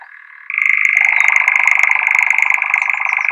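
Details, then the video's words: Rather failed recording of a European Nightjar: a quiet churr suddenly jumps to a louder, higher-pitched rattling trill that keeps running steadily, rapid and machine-like. "Europese Nachtzwaluw met best mislukte opname"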